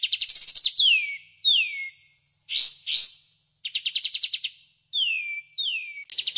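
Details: Kapas tembak, the white-shouldered triller, delivering 'tembakan' song: fast rattling trills of repeated high notes, broken by several sharply descending slurred whistles and two harsh buzzy bursts.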